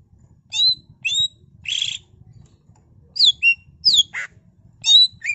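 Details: Greater green leafbird (cucak ijo) singing a 'full isian' ngentrok song packed with fill-in phrases, used as a pancingan to set other birds singing: loud, sharp whistled notes sliding down, broken by harsher buzzy bursts, in short bursts with brief pauses.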